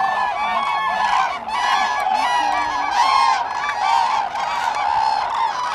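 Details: At Lake Hornborga in Sweden, April 2017, a crowd of common cranes trumpets continuously, resonant, overtone-rich calls overlapping into a loud unbroken clamour.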